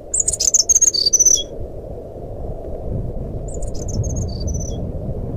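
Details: Lure song of a sikatan rimba flycatcher for a silent SRDC bird: a dense burst of high whistled notes for over a second, then a quieter phrase of similar whistles after a pause, over continuous low hum.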